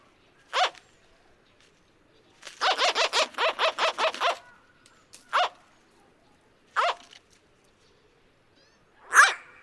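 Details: White-bellied Go-away-bird giving its series of grumpy yelps: harsh, nasal, bark-like calls, a single yelp, then a rapid run of about nine, then three more spaced-out calls.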